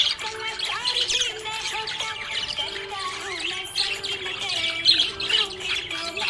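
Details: Budgerigar in a happy mood, chattering busily with quick scratchy chirps and short squawky notes in an unbroken stream, while a faint held melody plays underneath.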